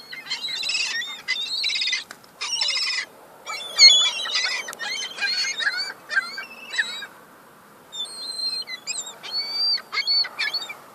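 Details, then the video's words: Young gulls contesting crumbs give thin, piercing squeals and short upslurred yelps, dense at first, then thinning to scattered single cries toward the end. "Young seagulls"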